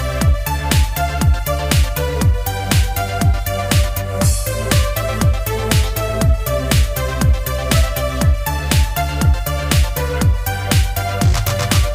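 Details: Steady electronic dance music with a heavy bass beat about twice a second fills the whole recording, and no animal voice can be picked out.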